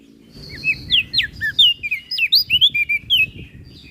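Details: Flores crested white-eye singing in a lively, filled-in style, recorded as training material for other songbirds: a quick run of sharp, high chirps and sliding whistled notes, evenly spaced and bright, over a faint low hum.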